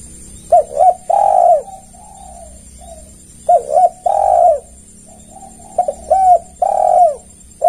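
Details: Tekukur, the spotted dove, in a recording meant to lure other doves. Three similar cooing phrases about every three seconds, each a quick double note followed by a long falling coo, with softer short coos between. A faint steady hiss runs underneath.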